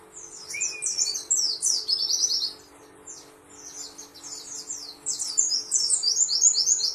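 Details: White-eye song of fast, high-pitched, tumbling twitters and short warbled phrases, a brief flat whistle early on, pausing for about two seconds mid-way before a second dense burst of chattering song, with faint hum in the background.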